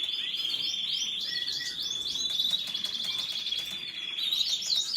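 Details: Canary pours out a long, steady high trill over a sustained whistled tone, with quick upward chirps overlaid and a short buzzy rattle near the start.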